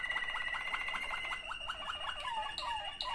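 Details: Waterslager canary song, one of two sibling birds, with rapid repeated low water-like notes around a steady high whistle, ending in falling slurred whistles and sharp clicks.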